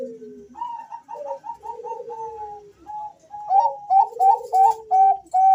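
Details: Two male Bangkok zebra doves call back and forth, giving rapid runs of short, clear cooing notes around a steady pitch over lower, drawn-out descending coos, in a quiet indoor setting.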